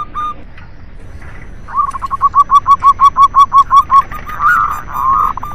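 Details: Local zebra dove song used as a lure for doves slow to sing: after a faint start, a regular train of about thirteen short, even cooing notes, followed by a blurred warbling phrase.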